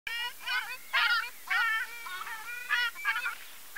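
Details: Ruddy shelduck calling: nasal, honking notes with rich stacked harmonics, given in short bursts and doubled phrases, several overlapping, with a loud trumpeting burst near the one-second mark; quiet background.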